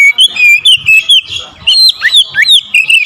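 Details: Oriental magpie-robin singing a forceful, combative song when provoked to confront a rival; a dense run of piercing whistles, warbles and downward-swooping notes follows one after another with hardly a pause.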